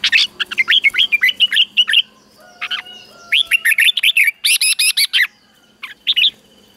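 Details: Red-whiskered bulbul song played for caged birds to learn, in Thailand: rapid bursts of bright, bubbling whistled notes, quick repeated phrases with short pauses, loud and clear over a quiet background.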